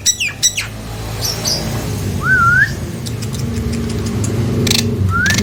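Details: Nias hill myna lure sound to make lazy, silent mynas reply: a few sharp clicks, then two separate rising whistles with a wavy end, over a constant engine-like rumble.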